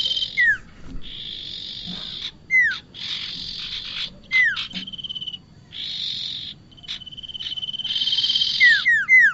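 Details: Calls for luring bar-winged prinia into traps: long buzzy bursts alternate with sharp falling whistles and level whistled trills, the falling slurs coming in quick groups toward the end.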